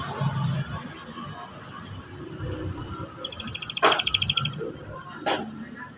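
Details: Canary song for provoking a young canary to sing: a brief, fast, high rolling trill after quiet background, with a couple of sharp clicks nearby.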